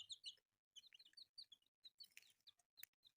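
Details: Newly born chicks, colourful, with high short peeps in quick clusters, a noisy scratchy burst midway, and soft low thumping underneath.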